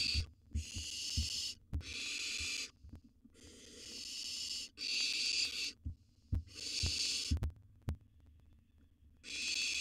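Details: Wild barn owls at a monitored nest box during feeding time, a gerbil brought as prey; long harsh hissing screeches of about a second each, repeated with short gaps, plus soft thumps and knocks.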